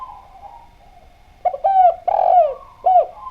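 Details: Spotted dove in clear song, played as a lure so other doves will answer: a soft drawn-out coo, then a loud phrase of three mellow coos, the middle one longest and gently falling, with a faint continuous hum behind.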